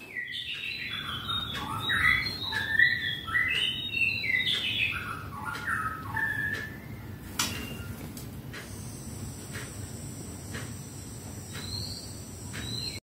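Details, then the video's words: A 17-day-old hybrid myna (Javan myna × Bali myna) gives a busy run of varied chattering and whistled notes for about seven seconds, then thinner squeaks over a steady high hiss. "hasil persilangan jalak Kebo x jalak Bali/Jalak Hibrid"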